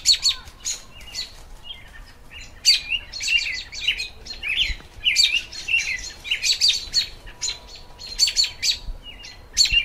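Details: American robin song in spring: quick, clear chirped phrases, bright and mid-high, tumbling almost without pause, with other birds possibly chirping in the background.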